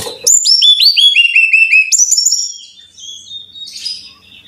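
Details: Training song of a Brown-chested jungle flycatcher for caged birds: bright whistled notes stepping down in pitch in quick repeated pairs, then a short higher run, before trailing into faint rustling.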